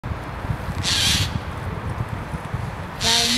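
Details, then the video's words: Eurasian jay in Christchurch Park, apparently calling to wake a tawny owl from its daytime sleep: two harsh, rasping screeches about two seconds apart over a steady low rumble of traffic and wind. "Noisy Jay !!!"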